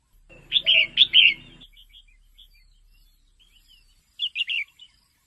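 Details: Calls of a female red-whiskered bulbul, meant to make males lively: three loud bright chirps over a faint low hum, quiet twitters, then another quick triple phrase.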